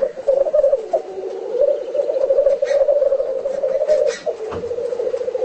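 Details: Black grouse display calls recorded at home: a continuous rolling, bubbling coo with rapid pulses. Two sharp hissing bursts cut in, one near the middle and one toward the end.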